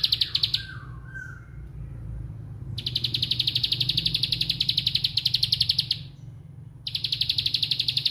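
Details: Bar-winged prinia, 'bren' song: a brief clicking burst and a soft lower warble, a pause, then a long three-second run of fast, evenly spaced high ticks and another burst, over low background hum.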